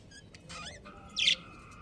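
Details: A breeding pair of budgerigars chirping: brief high twittering notes and a short upward-sweeping chirp, then one louder, harsher burst, over a steady faint background hum.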